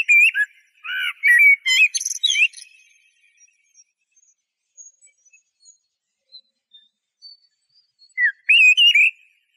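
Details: Blackbird delivers a burst of varied fluting whistles ending in high squeaky twitters. Faint scattered chips follow during a quiet gap, then another warbled whistled phrase.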